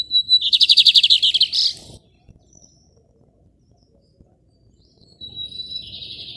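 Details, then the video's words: Lined seedeater in a hand-held cage in Maranhão, Brazil, giving rajadinho song. A rapid high trill of evenly repeated notes ends in a buzzy burst, then a pause, then a steady buzzy phrase. "Bigodinho Rajadinho cantando muito de gaiola na mão!"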